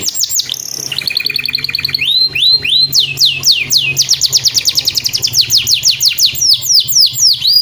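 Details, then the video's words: Canary song used as a master tutor to train other birds to sing. The song is a rapid, varied run of tours: fast descending sweeps, a buzzy trill, and rolling repeated notes at about four per second, loud and continuous. "MASTERAN KENARI MEWAH!! BENING PALING DI CARI KICAU MANIA"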